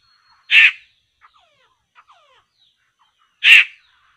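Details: Two rasping, noisy squawks from a laughingthrush (poksay) at a trapping site, about three seconds apart, separated by a few faint short notes.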